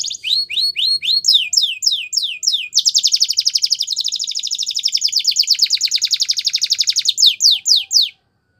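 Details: A Belgian canary sings a training song for young canaries: repeated downslurred notes about four per second, then a long rapid buzzy trill lasting several seconds, closing with a few sweeping slurs before silence.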